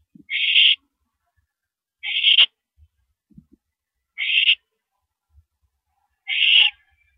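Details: Owl screeching at a mouse delivery on the night of April 13, 2012, 9:17 PM: four breathy, harsh hisses about two seconds apart, with soft bumps and rustles in between.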